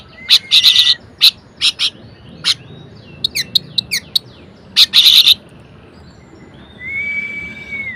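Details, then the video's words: Orange-headed thrush in full, varied song, played to rouse lazy thrushes into singing: bursts of high, rapid chattering notes and sharp chips separated by pauses, ending with a long, thin rising whistle. "Anis Merah Gacor Variasi Bangkitkan Emosi Anis Malas Bunyi Agar Rajin Berkicau"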